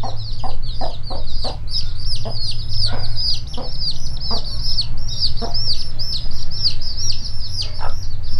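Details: Mother hen leading her chicks to look for food inside a warehouse: low, short clucks repeated roughly every half second over a constant chorus of high, shrill chick peeping, with a steady low hum underneath.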